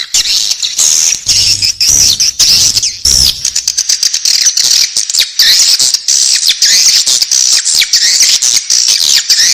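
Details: Chicks of swiftlets in their nest keep up piercing, thin, wavering squeaks over a bed of rapid clicks, nearly continuous for the whole stretch.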